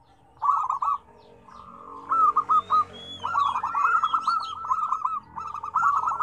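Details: Zebra doves singing in a lively set of five differing tone combinations: short bursts of quick staccato coos, then a long rolling run of cooing notes. Higher, thin whistles from another bird sound in the middle.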